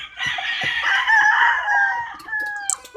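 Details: Chickens and roosters calling together in a steady, overlapping wash of crowing and clucking, with sharp short calls near the end.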